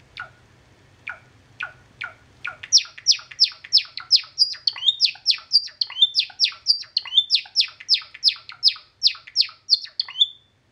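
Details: Male Java sparrow singing beside a nest with young and new eggs: a few soft, spaced clicks, then a run of bright, bell-like chips and drawn-out whining notes, about three per second.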